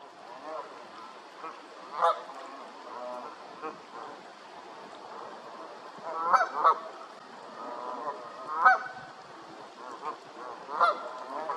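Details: A long series of Canada goose honks spread across about eleven seconds. Several calls overlap in places, suggesting more than one bird. Loud doubled honks stand out above softer, lower calls and background hiss.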